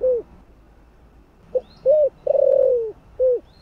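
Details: Spotted dove, thổ-voiced, cooing to excite decoy birds: a closing note, then after a gap a crisp short note, an arched coo, a long buzzy sliding coo and a final arched note.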